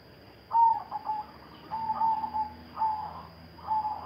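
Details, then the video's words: Silver zebra dove giving bekur and cetekan song: repeated mid-pitched, slightly rolling coos in phrases about a second apart, over a steady electrical hum and faint low drone. "perkutut silver gacor, bekur, cetekan"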